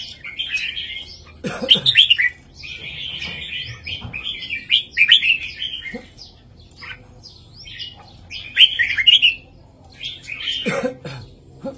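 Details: Teaching song for young red-whiskered bulbuls in the heavy southern master style: phrase after phrase of bubbling warbles with short pauses, plus a couple of low knocking sounds.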